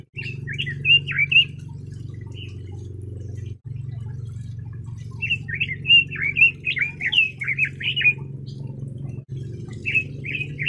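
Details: Red-billed leiothrix song in bursts of quick, twisting whistled notes separated by pauses, set against a constant low mechanical hum.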